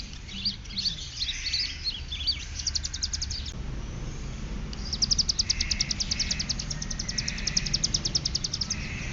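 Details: Ciblek gunung (hill prinia) from Cililin singing in the ngeriwik style: rapid, high, ticking trills in two bursts, with short scratchy notes and hazy mid-pitched buzzy bands between them. A low background rumble runs throughout.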